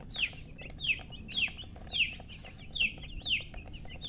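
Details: Baby chicks giving loud, clear, high descending peeps, about seven strong chirps spaced roughly half a second apart with fainter chirps between, over soft low background noise.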